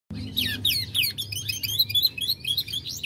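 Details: A gold Lizard canary of a 2020 Dutch line sings fast and nonstop, with bright high chirps and rolling trills packed several to the second, over a low steady hum.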